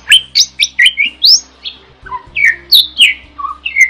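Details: Starling (jalak) in vigorous, chatty song, offered as a master recording for training other songbirds; a rapid run of varied whistles, chirps and slurred rising notes, about a dozen in four seconds, over a faint low hum.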